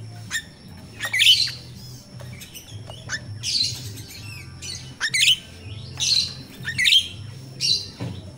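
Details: Natural recording of jalak rio-rio myna, used as a lure for training captive birds: about a dozen harsh, scratchy squawks mixed with thin whistles, coming every half second to a second, with a low hum beneath.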